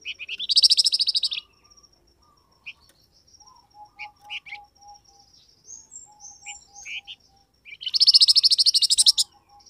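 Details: Flamboyan bird call meant to prompt wild birds to answer. Rapid, harsh pulsed trills open and close the stretch, with scattered short chirps and a faint run of soft low notes in between.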